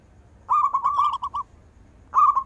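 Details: Local zebra dove singing, meant for calling lazy zebra doves: a rolling trill-like phrase of linked coo notes lasting about a second, then another phrase begins, faint hum behind.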